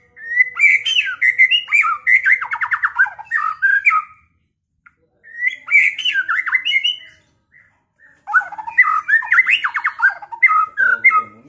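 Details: Kept white-rumped shama (murai batu) from Pekalongan singing a provocation song meant to stir a rival to fight and sing. Three loud bursts of rich, varied whistles mixed with harsh chattering phrases, separated by brief silences.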